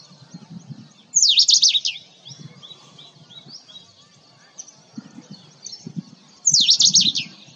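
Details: Indian robin: two loud bursts of fast, high, sweeping whistled notes about five seconds apart, with a soft twittering background of other high notes and low rumbling noise.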